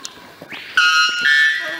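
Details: White Bellbird in Floresta Nacional de Carajás, Parauapebas, Pará, Brazil, July 2014, giving two loud, ringing, bell-like notes, the second slightly higher, after a brief rising swoop; faint voices behind.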